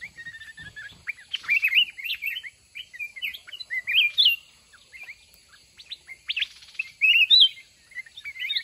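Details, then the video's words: Wild mountain red-whiskered bulbul caught in a decoy fighting contest. Steady chatter of quick varied whistles, some looping upward, broken by short wing-flutter noises. "Chào mào núi bẫy đấu"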